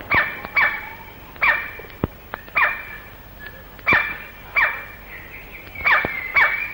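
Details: Male white-bellied (great black) woodpecker in Malayan rainforest, late 1950s to early 1960s, giving its piercing call: loud, harsh, barking notes, often doubled, roughly once a second, with a few sharp single knocks of frantic drumming against a quiet forest background.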